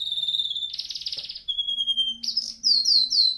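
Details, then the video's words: Canary training song: a steady whistle, a loud pulsed buzzy trill, a flat lower whistle, then a rapid series of bright downslurred notes repeated about four per second. "canary singing video | the best canary training song 60 minutes"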